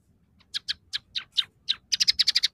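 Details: Scaly-breasted munia in full song, singing one of three song variations with fill-ins of house sparrow, red siskin and canary phrases: a run of short high chirps that speeds into a quick, evenly spaced rattle of bright notes at the end.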